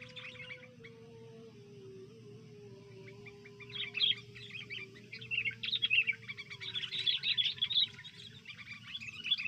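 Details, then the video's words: Sooty-headed bulbul at a pikat cengkeram bird-trapping site: quiet at first, then from the midpoint bursts of rapid, harsh high chirps and chatter come in irregular clusters over a faint, steady low hum. "takluk nya kutilang perusak pikat cengkeram"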